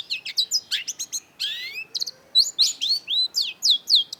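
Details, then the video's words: Long-tailed shrike (cendet), in a lure recording for birds that won't sing: a dense, fast medley of sharp chirps, rising whistled slurs and buzzy notes tumbling almost without pause. "cendet gacor LANGSUNG GACOR !! PANCINGAN CENDET MACET || Long-tailed Shrike"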